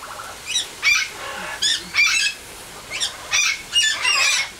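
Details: A 34-year-old male greater sulphur-crested cockatoo enjoying a shower in his aviary gives about eight harsh, raspy squawks in short bursts, a few every second, over a steady hiss of running water.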